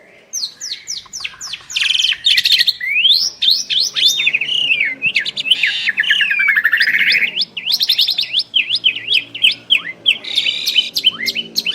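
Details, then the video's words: Asian pied starling duet of two birds: a rapid run of upslurred and downslurred whistles, twangy notes and chattering, continuous and lively throughout. "Jalak Suren Istimewa | Duet 2 Burung Juara"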